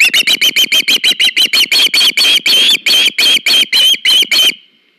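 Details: Osprey at a nest live-cam on August 21, 2019, as one bird brings another a fish: a loud series of sharp, whistled chirps, about three per second, some notes drawn longer, stopping abruptly.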